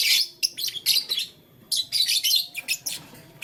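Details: Blue, lutino and green lovebirds at play with a flower give short scratchy high chirps in clumps, a quiet second-long pause, then another run of rough chirps.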